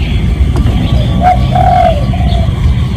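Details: Real spotted dove lure call: a short coo followed by a drawn-out soft falling coo and a quieter trailing note, over a steady low hum.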